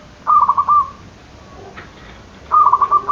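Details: Lively zebra dove call used as a lure to stir lazy or silent doves into calling: two rapid, rolling trilled coo phrases at mid pitch, separated by about a second and a half of quiet.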